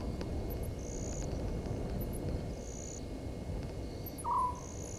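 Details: Southern white-faced owl at 00:40 on 17 November 2019 by Gowrie dam waterhole, Djuma Game Reserve, Sabi Sand Wildtuin, South Africa, caught on a live camera: one short, low, slightly falling hoot near the end, over steady high insect pulses and low rumble.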